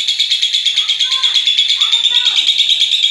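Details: Long ngekek of a lovebird, used as a master sound to get other lovebirds singing: an unbroken, fast, shrill pulsed trill holding steady pitch, with faint lower warbling notes underneath.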